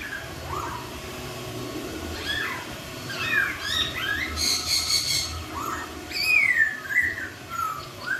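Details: Laughingthrush song played to make others respond: scattered slurred whistles, a harsh buzzy chattering burst in the middle, then loud clear descending whistles toward the end.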